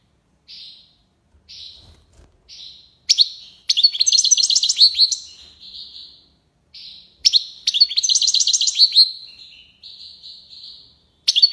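A European goldfinch sings high, tinkling phrases: a few thin single notes, then two bursts of rapid, liquid twittering and buzzy trills, each trailing into softer notes.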